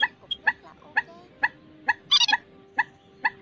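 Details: Rail calls from a lure recording used in August 2024 for night net trapping of migrating birds. Short, sharp notes repeat roughly every half second, with a brief buzzy burst midway and a faint steady hum behind.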